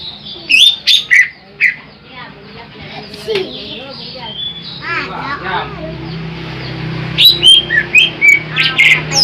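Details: Large greater green leafbird, a master song for luring birds: rapid varied whistled slurs and chirps, high and bright, in quick bursts at the start and again toward the end, with quieter slurred notes between.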